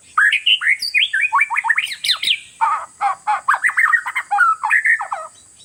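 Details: Oriental magpie-robin (kacer), a territorial caged contest bird, singing to rattle rivals. Rapid chattering phrase of harsh slurred notes, about four per second, with rough squawky elements; faint high hiss in the background.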